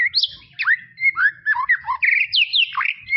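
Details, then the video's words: Rich varied song of a white-rumped shama in tropical forest, made of loud clear whistles sliding up and down, short slurred notes and a brief buzzy burst, delivered in quick succession. "BEST SUARA KICAUAN MURAI BATU HUTAN TROPIS"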